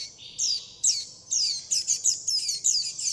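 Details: Young warbling white-eyes beg for food and call their mother, producing high, thin falling chirps that quicken into a rapid, excited series.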